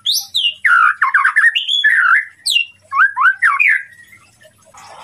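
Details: White-rumped shama song used as a tutor recording to provoke a rival's emotion. It begins with high falling whistles, then loud, varied, slurred notes and harsh squawking phrases in quick succession, and fades toward the end.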